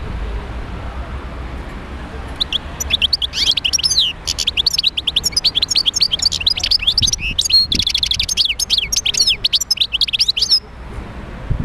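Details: Goldfinch song meant to encourage other goldfinches to sing: after two seconds of quiet hiss, a long run of fast, bright, twittering notes and trills continues for about eight seconds.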